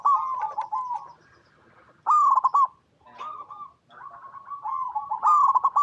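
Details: Three loud phrases of quick, rolling coo notes from a local zebra dove in natural habitat, separated by short pauses. Softer, longer cooing from neighbouring doves sounds in between.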